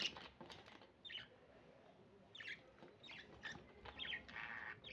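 Budgerigars give scratchy, chattering chirps in short bursts, with soft rustling between calls.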